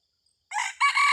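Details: Red junglefowl decoy bird crowing in chaloei style, 30 October 2023: a sudden raspy opening phrase, a short dip, then a strong sustained harsh note that is cut off abruptly.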